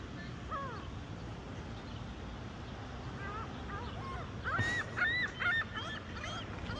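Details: Gull calls at a charging station in Hines, Oregon: faint mews at first, then a louder cluster of sharp, repeated squealing cries near the end, over background engine noise.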